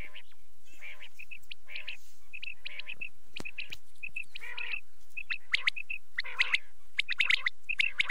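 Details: At night, quail keep up rapid chirping: clusters of two or three crisp notes repeated roughly every second, mixed with sharper flicked whistles, the chorus growing livelier toward the end.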